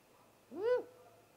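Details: Recorded by a live camera at a great gray owl nest as a great horned owl attacked, just after midnight on 30 March 2018: one bright, upward-sweeping cry lasting about a third of a second, otherwise quiet.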